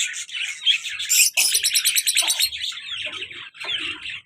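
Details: Pet lovebird pair, a colour male and a black-masked female, active and playful in captivity; dense high chattering and squeaky chirps, with a quick rapid trilled burst midway and some soft low knocks in the background.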